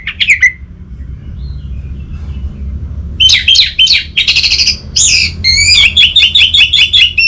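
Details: Orange-headed thrush singing a lure for a silent caged thrush: one short whistled phrase, a long hush, then a rapid, varied run of rich whistles and rattling notes, over low background hum.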